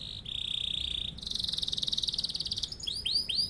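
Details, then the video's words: Canary with a long rolling song for other birds to imitate: a steady vibrating roll, a second faster and louder pulsed roll, then a few sharp rising swoops. "Kenari gacor cocok buat pancingan atau masteran burung"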